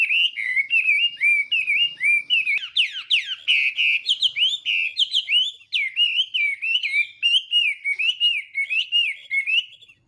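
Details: Chinese hwamei morning song, sung while training its voice: loud, continuous run of wavering whistled phrases, repeated warbling notes rising and falling, steady and rapid throughout.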